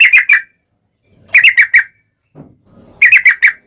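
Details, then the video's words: Sooty-headed bulbul singing in the rapid ropel style, used as a lure to make other bulbuls answer: three short bursts of quick, bubbly notes with overtones, each burst under half a second, separated by silent gaps and faint low rustling. "trucukan gacor TARUNG ROPEL"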